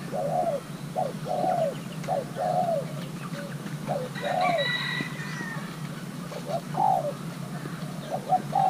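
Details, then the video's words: Young male Thai-hybrid spotted dove during pairing performs its playing style: a steady run of short mellow coos, evenly spaced, then a longer pause and fresh coos; a high thin whistle from another bird midway. "nước chơi của gáy thái lai trống tơ đang ghép đôi"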